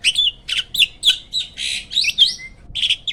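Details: Hybrid jalak (myna) kept as a master for training caged birds: fast series of harsh, squawking chatter notes with twisted whistled slurs, delivered in rapid bursts.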